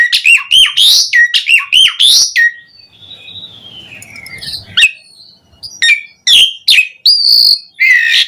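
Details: Javan pied starling singing in a lively, continuous burst, used as a lure to make other starlings sing: rapid harsh chirps and squeaks, then a long falling whistle, more sharp notes and a buzzy rising phrase.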